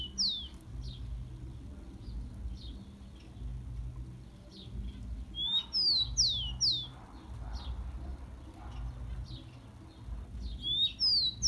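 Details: Warm-up song of the rufous-collared sparrow for stimulating captive birds: short phrases of high, clear whistles, each sliding down, repeated several times with soft chirps between.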